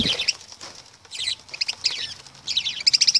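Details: Short clusters of high, buzzy lovebird chirps separated by pauses, ending in a quick series of five sharp ticking squeaks.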